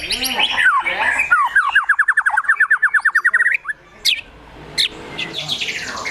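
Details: White-rumped shama singing agitated gacor emosi filled with besetan, tembakan, sogon and kunti imitations: noisy opening phrases, then a long fast trill of about twenty rising notes, then two sharp chips.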